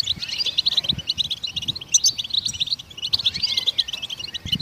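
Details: Goldfinches singing to set other songbirds singing: two bursts of fast liquid twittering with a short lull between, plus a few thin rising whistles.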